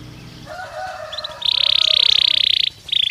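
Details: Belgian canary singing naturally: soft low warbles, then a long intense buzzy trill, a short pause, and another buzzy burst.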